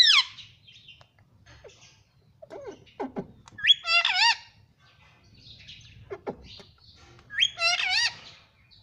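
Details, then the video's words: Pet green ring-necked parrot talking in Hindi, saying "mummy": sliding harmonic word-like phrases and clicks, repeated in bursts a few seconds apart. "parrot Hindi talking || mummy miithhu voice"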